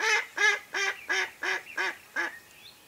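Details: Mallard hen calling to draw in ducks during a hunt: a steady run of seven coarse, nasal quacks at even spacing, each roughly a third of a second long, trailing into silence.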